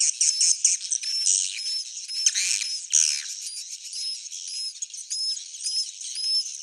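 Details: Swiftlet calls described as an old-style, proven sound: dense high twittering chirps with short repeated whistled notes, some rising slightly, over a steady bright chatter.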